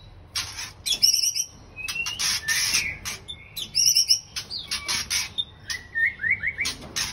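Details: White-rumped shamas kept as a breeding pair give high buzzy trills and harsh rasping notes, plus clear whistles and a fast stuttering series of rising whistled notes near the end, among sharp clicks.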